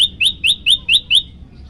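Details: Yellow-bellied prinia used as a tutor recording that riles listening birds: six clear, bright upswept whistled chips delivered rapidly, about five each second, then silence.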